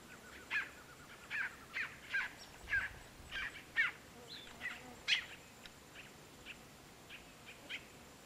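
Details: Maria preta, a bird known by this name in the Sertão, giving a series of short, harsh chirping notes about every half second, with a faint steady high hiss behind.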